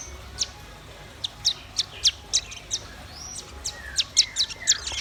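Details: Red-billed nuthatch and white-rumped shama singing: a series of short, sharp, high chirps, each a quick downward sweep, given in uneven bursts, with some notes close together and others spaced apart.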